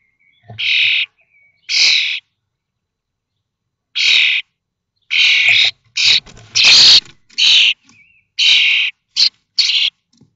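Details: Brood of five common starlings fledging from a connected nest box at Théding on 19 May 2024, 21 days after hatching: loud harsh hissing screeches, irregular and bunching toward the end, with faint knocks.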